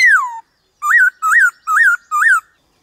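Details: White-cheeked laughingthrush singing in varied-voice style: one long falling whistle, then four short bell-like rising-falling notes spaced about a third of a second apart.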